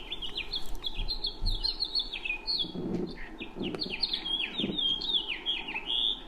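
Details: House finch song in Idaho: a long, rapid jumble of warbled notes ending in the distinctive buzzy rising "zhreet" note, which this bird gives in about every other song. Low thumps are heard in the middle.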